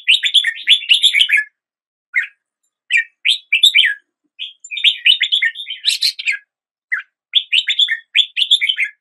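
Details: Red-whiskered bulbul singing: bursts of bright, chattering, bubbly notes in quick runs of several syllables, broken by short pauses, with brief single notes between phrases; no other sounds stand out.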